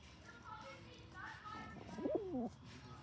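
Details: Male rock pigeon, grumpy and bullying other pigeons, gives a single short, wavering coo that dips and rises near the end, after faint background chatter.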